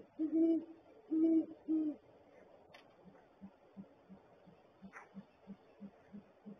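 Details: Male and female Great Horned Owls at their nest barrel, 7:19 AM on 13 January 2022: three deep, resonant hoots in quick succession, then a softer run of low, muffled gular-like pulses about three a second; the male's hoot is lower.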